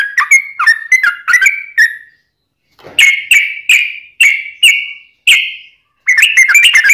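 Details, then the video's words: Yellow-vented bulbul singing in ropelan style, a song used to lure wild bulbuls and train caged ones: a burst of warbled notes, a short silence, then loud, ringing whistled notes and a renewed rapid run. "Kicau Trucuk Ropelan Panjang Ngelituk Tanpa jeda buat Masteran"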